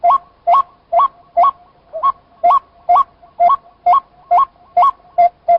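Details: White-breasted waterhen calling, a loud rhythmic series of short notes, each a quick upward-kinked whistle with a bright overtone, repeated about twice per second in a steady run.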